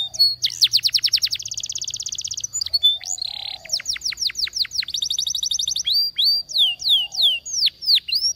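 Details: Waterslager canary training song: a long fast high trill, a buzzy section, then a row of curved sweeping whistles, another rapid roll, and loud hooked notes spaced about half a second apart.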